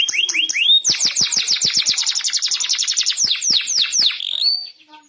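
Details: Tame canary (kenari) singing constantly, a loud, fast trill of repeated downward-sweeping notes, about five per second, opening with a few rising whistles and ending in a long buzzy tone.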